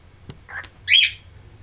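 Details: Pet cockatiel indoors in West Newton, Pennsylvania, giving a brief sharp rising squawk after a faint chirp, in a quiet room with low hum.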